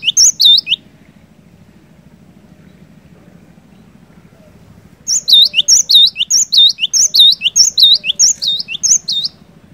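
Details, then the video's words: Energetic cinereous tit song, used to get a silent bird singing: a short burst of high swooping whistles, a quiet pause of several seconds with only a low hum, then a long run of rapid repeated two-part phrases. "Burung Glatik Batu Gacor"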